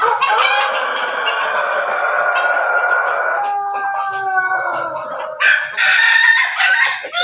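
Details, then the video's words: Crossbred rooster of Pelung, Bangkok and Ketawa lines raised in a backyard, giving one long sustained crow lasting over three seconds, then a falling tail and a few short clucks and calls from other chickens. "ternak ayam di halaman belakang hasil persilangan pelung bangkok ketawa berkokok"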